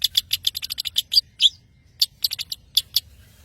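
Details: Long-tailed shrike from Madura singing energetically: quick bursts of sharp, high chipping notes with a couple of louder accented chirps, a short gap, then another cluster of rapid clipped notes.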